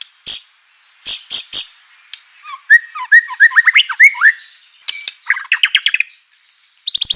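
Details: White-rumped shama in full song, used as a lure to provoke other shamas into singing: sharp high clicks, then a run of short rising whistled notes and a quick trill, closing with more crisp clicks.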